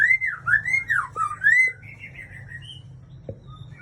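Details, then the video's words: Aceh white-rumped shama singing loud, rich whistles in a wavering up-and-down pattern for about a second and a half, then softer high trills and thin notes fading out. "Murai Aceh"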